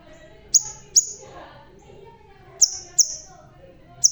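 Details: High, needle-thin chips from a bald crimson sunbird singing keenly, paired notes about half a second apart with long pauses, and a single closing note.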